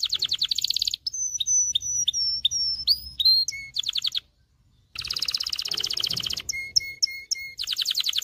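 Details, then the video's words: Canary song for training male singers and stimulating females to mate: buzzy rolling trills, a series of sliding whistled notes and steady low whistles, with a pause midway before trilling resumes. "غناء طائر كناري لتدريب والتسميع ذكور الكناري على الغناء Canary singing"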